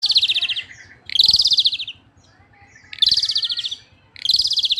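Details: Asian pied starling singing persistently: loud bursts of harsh, pulsed high notes, each lasting about half a second, repeated roughly every one and a half seconds with quieter chatter between.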